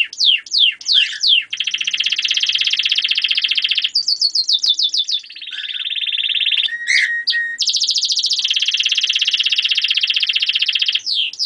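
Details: German crested canary singing a long varied sequence: rapid downslurred whistles, steady rattling trills, a lower buzzy passage, short chirps, then another long even trill.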